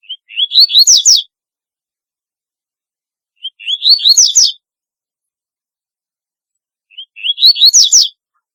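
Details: Double-collared seedeater with a distinctive song: three similar phrases spaced about 3.5 seconds apart, each a brief whistled lead-in followed by rapid, buzzy, falling notes. No background sounds.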